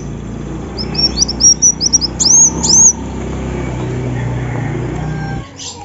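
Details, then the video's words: {'caption': 'Female Olive-backed sunbird calling with a rapid string of high, thin, rising chirps, growing longer and louder over two seconds, then stopping against a steady low rumble.'} "Suara Kolibri wulung betina"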